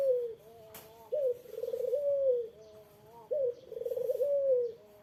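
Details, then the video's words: Eurasian collared dove giving rival-provoking coos, deep and mellow, each starting with a sharp onset and warbling roll before a long, gently sagging tone; a faint click briefly cuts in. "SUARA BURUNG PUTER INI LANGSUNG DI SAUT LAWAN"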